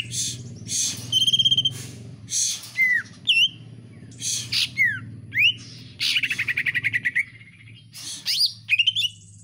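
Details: Greater green leafbird kept at home, heard with common iora-style sounds in vigorous song: harsh noisy bursts, a pure held whistle, sweeping rising and falling whistles, then a fast rattling trill, over a low steady hum.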